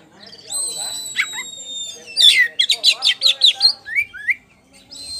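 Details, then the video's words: Poci-type Oriental magpie-robin, a champion, singing in ngeplong style. A sustained pure whistle runs nearly two seconds, followed by a fast burst of a dozen sharp ringing notes and two brief rising slurs. "KACER POCI JUARA NGEPLONG GACOR"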